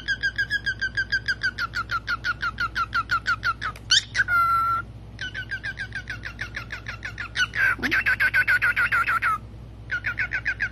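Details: Cockatiel squeaking during a game of peekaboo: quick trains of clipped, high chirps repeated several times per second, with a couple of drawn-out whistles and a raspy burst midway, over faint constant background hum.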